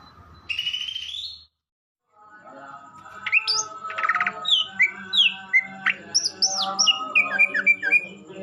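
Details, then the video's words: Greater green leafbird among twelve birds said to be chatty and in full song: a buzzy opening phrase, a short gap, then a lively series of varied whistled slurs, upswept and downswept notes over a steady low tonal hum. "12 BURUNG CUCAK IJO 🐦🐦🐦 CEREWET DAN GACOR"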